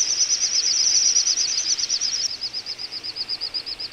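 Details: Little bustards wintering in Azerbaijan's Ag-Gol National Park, November 2014: dense high pulsed whistling from overlapping birds that thins to a single slower, evenly spaced series of shrill notes.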